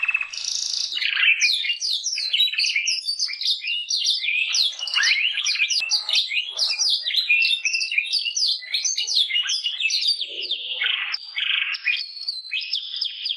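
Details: Long, continuous canary song of rapid chattering notes and sweeping whistles, dense and high, with only brief breaths between phrases over thirteen seconds.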